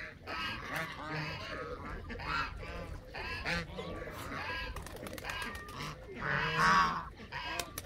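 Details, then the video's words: Several Canada geese calling at once: bursts of loud, hoarse honks, one louder nearby call standing out near the end of the chorus. "وز كندي"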